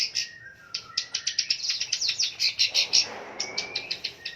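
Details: Long-tailed shrike, a fighter bird in full song used as a lure for silent stressed shrikes. A quick series of sharp high chips builds to a dense chatter, then thin whistled notes and a rising slur.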